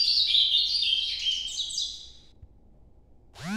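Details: Ultramarine grosbeak in Nordeste song style: a bright warbling phrase of quick, tumbling whistles fading out after about two seconds, followed by quiet and a brief harsher sound at the end.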